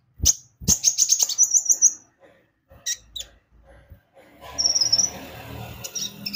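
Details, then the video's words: Javan white-eye song used as a lure to make birds sing: a fast series of high chirps in the first two seconds, then a short trill over rising background noise. "Pancingan Kicau burung konin gacor"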